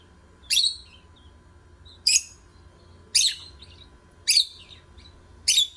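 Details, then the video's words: Singing lovebirds give loud, shrill chirps that sweep downward, each followed by a softer note, repeated roughly once every second over a low steady hum. "8 Minutes Love Birds Singing, Stimulate other birds"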